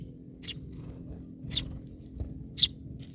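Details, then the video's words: Myna giving three short, bright, sharp chip notes spaced about a second apart, with low rumbling background noise and a faint steady hum. "Myna birds part 7"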